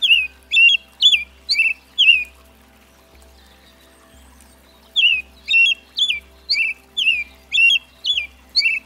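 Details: American robin, also called red-breasted thrush, singing: short clear whistled phrases with rising and falling slurs, given in quick bursts about twice per second, with a pause mid-clip, over a faint low pulsing hum.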